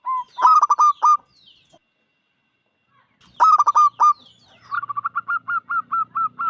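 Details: Five-year-old local zebra dove singing loudly, used to lure other doves into song: two bursts of five quick, rolling cooing notes, then a steady run of about ten short, even coos.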